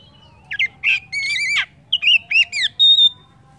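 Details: Oriental magpie-robin song for encouraging other birds to sing: short varied whistles and buzzy chattering notes, ending in a thin, pure, sustained high whistle, with a low hum behind.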